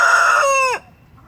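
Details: Rooster crowing beside his hens as they take a dirt bath: the tail of a crow, a loud steady harmonic note that breaks and slides downward to a stop.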